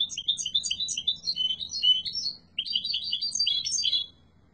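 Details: Yellow mutation European goldfinch in powerful song, rapid high twitters and liquid chirps tumbling in quick succession, a short pause near the middle, then another fast twittering burst fading out at the end.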